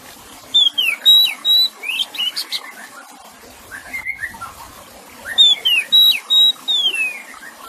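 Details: Oriental magpie-robin (kacer) song mixed with splashing water: clear whistled notes near 4k, some sliding down, in bursts around a second apart, with a lower warbled phrase between; steady water background.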